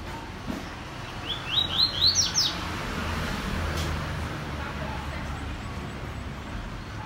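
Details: Coleiro seedeater song: a short burst of quick, high, upward-sweeping whistled notes lasting about a second, set against a steady low background hum.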